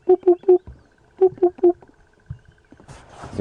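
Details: Eurasian hoopoe at sunrise in late August, calling from a drainage line alongside robins and other birds, gives two runs of three soft, low, hollow hoots, evenly spaced, followed by a brief rustle and murmur of voices.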